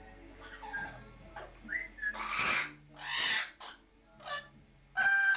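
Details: Parrot kept at home, calling in a bathroom, perhaps at its reflection or at pigeons outside: a short rising whistle, then loud grating squawks and a final sharp, strident call, with quiet room hum.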